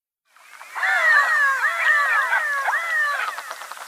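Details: Redhead calls: many overlapping nasal, arched notes, rising and falling, run together as a dense chorus for about three seconds, then stop abruptly, with no other sounds audible.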